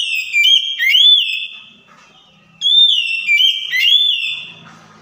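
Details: Lure song of an Oriental magpie-robin, meant to draw a reply from a bird that has stopped singing: two loud phrases of long, level, high whistles with upswept and looping slurs, separated by a short pause.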